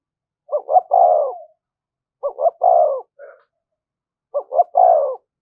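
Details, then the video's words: 'Thúc gù' coo of a spotted dove, a lure call for wild birds. Three evenly spaced phrases, each a pair of quick clipped notes then a drawn-out falling coo, separated by silent gaps of over a second. "tiếng cu gáy/ cu gáy thúc gù bài bản dùng kích bổi hiệu quả"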